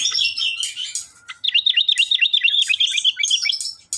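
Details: Energetic sooty-headed bulbul song: a burst of high chirps, then a fast run of repeated wavering notes, about four per second, in a quiet setting.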